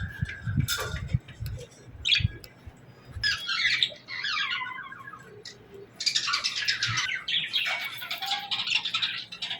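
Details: Parakeets in the morning giving scattered single chirps, then a buzzy, rattling phrase, and finally a long run of fast, busy warbled chatter with a few clear whistled notes.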